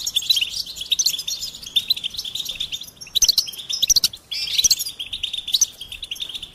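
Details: Goldfinch delivering bursts of rapid, high tinkling notes and trills, separated by short pauses, each burst ending in sharp bright chirps.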